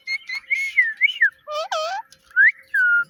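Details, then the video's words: Cute talking pet parrot: wavering whistled phrases, then two deeper harmonic, voice-like syllables, closing with a rising whistle and a steady, level whistled note. "Cute Talking Parrot"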